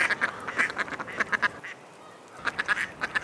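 Mallard giving rapid runs of short, nasal, rasping quacks, several per second, broken by a brief pause before another quick series.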